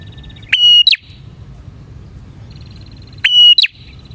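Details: Two bar-winged prinia phrases about three seconds apart, from a lure recording for catching prinias. Each starts with a snapping click, holds a flat high whistle, then ends in a brisk two-part chirp.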